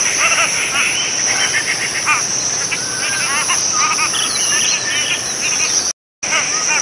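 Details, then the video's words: A Cotton Pygmy-goose (Nettapus coromandelianus) gives quick, chattering cackles in bursts, over a steady high whine of insects and other birds calling. "棉鴨/Cotton Pygmy-goose(Nettapus coromandelianus) Call"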